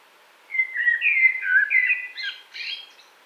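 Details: A Common blackbird near Wittlich in 2018 gives one full phrase: slurred flute-like warbles lasting about two seconds, then a brief burst of thin, high chattering notes.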